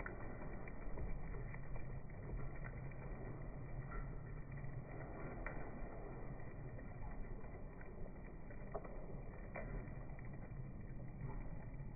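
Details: Steady low rumbling background noise with a few faint clicks; no clear animal calls.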